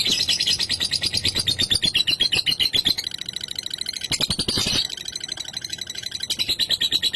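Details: Lovebird in ngekek style, used to provoke rivals and prompt other lovebirds to sing: a long, rapid, high-pitched chattering trill of shrill notes about four per second, briefly shifting to a harsher, denser burst midway.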